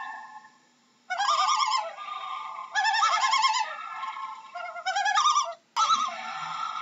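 A loon gives wild, quavering, laughing calls around mid pitch, in four wavering bursts of about a second each, with brief pauses between.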